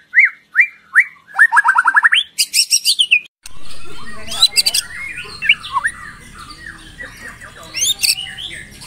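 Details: Lure song of a White-rumped shama meant to set other shamas singing: slurred whistled notes, a quick trill and chattering bursts, then scattered phrases over a steady background hiss.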